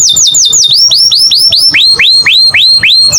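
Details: American canary song: a quick series of clear, high whistled notes, each swooping down then curving up, repeated about five times a second, with the pitch dropping slightly partway through; low background rumble.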